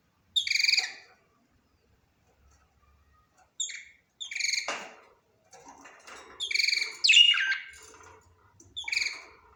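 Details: Budgerigar giving short, bright, harmonic chirps in separate bursts, about six over ten seconds with pauses of silence between, one chirp sliding downward into a scratchy squawk near the end; no other sounds.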